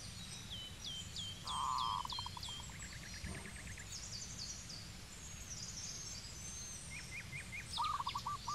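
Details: Zebra dove calling in Cambodia. It gives short bursts of rapid, purring cooing notes, with a few trilled notes closing the clip. Many other birds chirp and whistle higher up throughout, over a steady low background hum.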